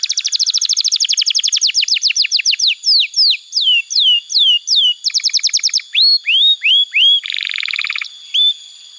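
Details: Canary song used as master tutoring for young canaries and to coax silent canaries into singing: a fast trill of steep downward notes, then slower drooping whistled slurs, another rapid trill, a few upswept whistles and a short buzzy rattle.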